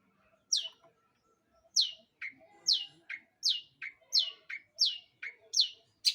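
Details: Long-tailed shrike song used as a lure to set other birds singing: sharp, high downsweeping notes alternating with lower, shorter chips in a brisk back-and-forth rhythm, with a faint murmur beneath.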